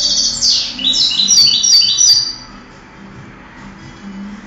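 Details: European goldfinch from a 2008 singing contest, pouring out a loud, dense, high twittering burst for about two seconds before fading to quiet background noise.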